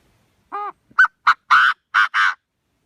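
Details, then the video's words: Chinese francolin calling in the thổ pha voice style, used for luring birds with a loudspeaker: six harsh, buzzy notes over about two seconds. The first is lower and hoarse; the later ones are louder and rasping. The background is clean. "tiếng chim đa đa giọng thổ pha"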